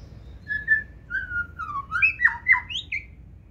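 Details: White-rumped shama of the 2024 season, offered for sale, singing in the 'forest voice' style, running along the perch with tail raised. Clear whistled phrases slide downward, then rising and falling notes follow in a quick ascending run.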